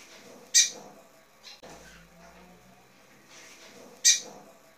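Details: Female lined seedeater calling to stimulate a male: two short, sharp, high chip notes about three and a half seconds apart, with a faint low thump and near-quiet background between them.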